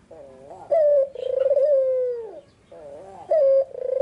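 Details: Soft wavering notes lead into the afternoon song of a white red-eyed Barbary dove, a clear coo and a drawn-out rolling croon that sinks at the finish, then another clear coo.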